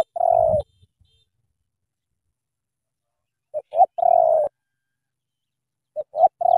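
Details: Spotted dove from Cà Mau, cooing in the thổ tơ style: one long, low, slightly falling coo, then a pause, then two short clipped notes and another drawn-out coo. The recording is clean, with no other sounds.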